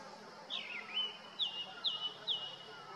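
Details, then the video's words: Male Grey-winged Blackbird on a deodar twig in the Uttarakhand Himalaya in summer sings a clear, high territorial song: a long falling whistle, then three quick descending notes about half a second apart, over a soft hiss; Hill Barbet calls may sound in the background. "Thrush calls out with abandon: Grey-winged Blackbird sits on deodar twig and trills out aloud"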